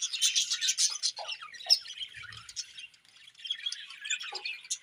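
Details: Budgerigars at their morning feed: busy high twittering and buzzy chirps, loudest at the start, with a quieter patch near the middle before the chatter picks up again.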